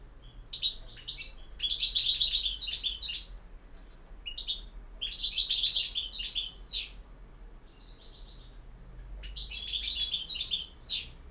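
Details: European goldfinch giving campero-style song, with four long bursts of dense, tinkling twitters and buzzy trills, each closing with a sweeping slurred note, and brief quiet gaps between.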